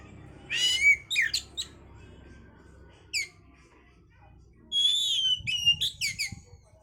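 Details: Oriental magpie-robin song used to raise breeding condition: rasping bursts and sharp chips separated by pauses, then a bright falling whistle followed by rapid scratchy notes; faint low rumble throughout.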